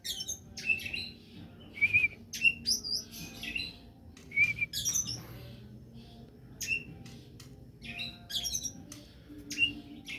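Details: Oriental magpie-robin song used as a lure to provoke other birds into singing: short, sharp, high chirps and squeaky whistled notes in scattered bursts of about one or two per second, over a low background hum.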